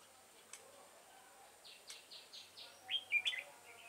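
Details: Decoy-trapping session for red-whiskered bulbul ('devil face' type) on 22 September 2018: a brief series of soft buzzy notes, then a loud, quick warbled phrase of bright, twisting whistles. Scattered clicks throughout.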